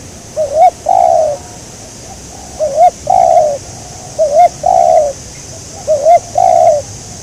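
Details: Spotted dove, a local wild bird being trapped with a decoy, repeats its coo four times at steady spacing. Each phrase has a short wavering two-part lead-in and then a strong, drawn-out falling coo, against a soft hiss.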